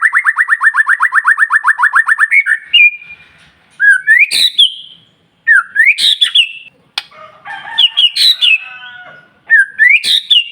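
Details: White-rumped shama in loud nonstop song, used as a lure to provoke other shamas into singing: a fast run of about twenty rapid trilled notes, then bright whistled phrases with sharp rising sweeps and high chips, separated by short pauses.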